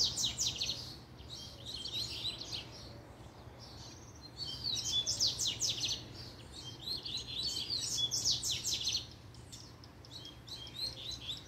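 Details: Excited double-collared seedeater reacting to a female, pouring out long runs of rapid, high, scratchy warbles and trills in repeated phrases of one to three seconds, against a soft constant low hum.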